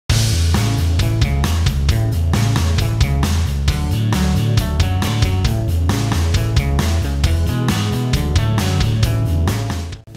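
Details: Loud rock music with heavy bass, drums and guitar fills the whole clip, with no animal voice heard.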